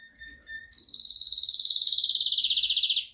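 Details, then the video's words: Arlequim Português canary singing energetically: two short separate notes, then a long, even, very rapid trill that slowly drops in pitch. "Canário Arlequim Português C/ Energia 😍 Canary Arlequim Português with lots of Energy"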